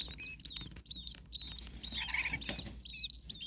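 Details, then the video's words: Nestling common starlings calling in a hot nest while an adult stays nearby. The high, scratchy, overlapping chirps run almost without a break, with one brief pause near the start. "Starling baby birds very hot. Day 2 Nest 2. Mama bird was close by making some noises."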